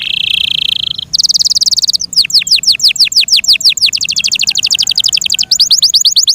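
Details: Kept Yorkshire canary giving a continuous song of buzzy trills followed by long runs of quick falling whistles, roughly six per second, flowing into further rapid rolling phrases.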